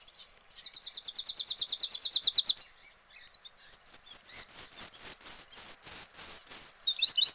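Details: Canary singing in a cage: a fast, even trill of high buzzy notes for about two seconds, a short pause, then a series of sharp descending whistled notes repeated roughly three times a second.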